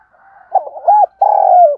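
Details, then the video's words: Spotted dove giving its calling coo to attract other doves: a soft, wavering stuttered phrase followed by one long, full coo that slides slightly downward at the end, with a quiet background. "cu gay kich boi nhanh noi gù chuẩn gáy gọi, tiếng gáy hợp bổi giọng đồng gáy gọi"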